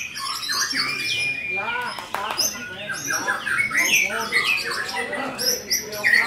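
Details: White-rumped shama in busy gacor song: quick stuttered notes, harsh buzzy bursts and bright high whistles crowd together, with ringing peaks toward the end.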